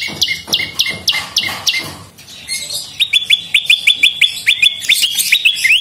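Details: Prenjak lumut, the bar-winged prinia, used as a lure: a stuttering run of high sliding notes, a short lull, then a fast, even train of thin metallic chips.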